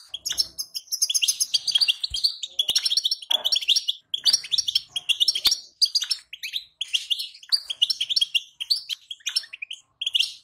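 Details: Goldfinch hen's call meant to provoke a weak male goldfinch into song: long runs of fast, tinkling, buzzy twitters, almost unbroken, with a few sharp clicks early on.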